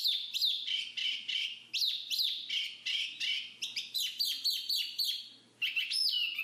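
Black-capped Babbler giving a fast run of loud, clear whistled notes, many sliding down in pitch, about two per second, with a faint low hum behind.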